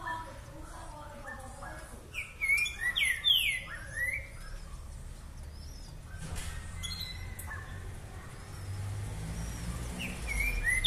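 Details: Green-winged saltator in the boca mole boi song style, delivering a short burst of loud, sweeping whistled notes early on, then a quiet stretch with low rumbling background noise and a brief whistle near the end.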